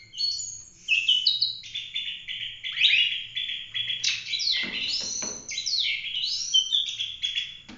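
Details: Oriental magpie-robin singing a master song meant for teaching other birds; clear sliding whistles and slurred notes alternate with short chattering bursts, over a faint low hum.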